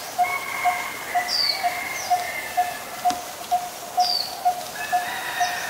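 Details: A Coppersmith barbet, recorded in Ubon Ratchathani, Thailand, on 23 January 2020, gives a regular run of about thirteen short metallic notes, two per second, alongside high descending whistles and chirps from other birds.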